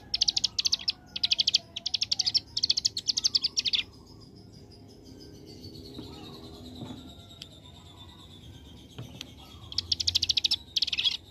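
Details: Ciblek gunung prinia firing four rapid rattling bursts of high buzzy notes in 'ngebren AK47' style, then a long quiet spell before two more machine-gun runs.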